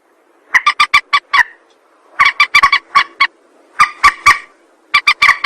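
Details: Rail calls for trapping lures, in tight bursts of four to six short, clipped, nasal notes, each burst separated by roughly a second of silence.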